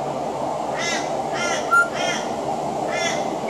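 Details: Pied butcherbird singing on a veranda in Australia, mimicking crows with four harsh, caw-like notes spread over three seconds and one brief clear whistle between them, over a steady background hiss.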